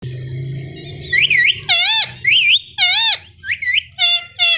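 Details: Indian ringneck parrot, described as talking, gives a string of bent, warbling, strongly harmonic notes about every half second after a low murmur at the start, in a small indoor room.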